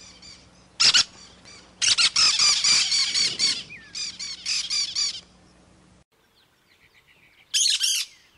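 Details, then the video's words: Cactus parakeet in loud excited chatter: one sharp screech, then a long rapid series of harsh, grating squawks, a quiet pause, and a final shrill burst, close and dominant. "CANTO do PERIQUITO-DA-CAATINGA"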